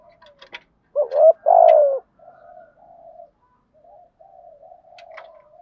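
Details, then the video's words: Spotted dove of native breed giving a lure coo to provoke a wild bird: one loud two-part phrase, short then long and falling, among soft low murmurs and a few faint clicks. "tiếng chim cu gáy kích bổi nhanh gáy nhất"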